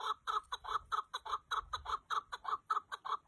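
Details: Chukar partridge giving evenly spaced throaty clucks in a rhythmic series of about two notes per second, sharp and clear.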